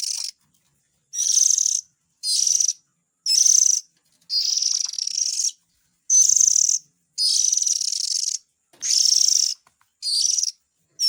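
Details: Lure calls of Oriental magpie-robin chicks aimed at adult birds, heard as a steady run of about ten hoarse, hissing rasps of uneven length with short quiet breaks.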